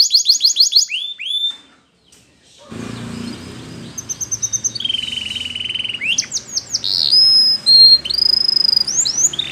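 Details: Belgian canary singing a training song. Quick falling notes open the song, then comes a short silence. A soft rolling phrase follows, then a steady whistled note, and bright rising and falling whistles, over faint background noise.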